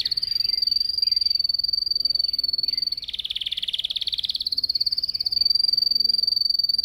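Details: Yellow canary singing in its cage as part of training, captured on a Samsung S8 Plus: one unbroken, very rapid high trill lasting several seconds, turning coarser and buzzier midway before smoothing out again.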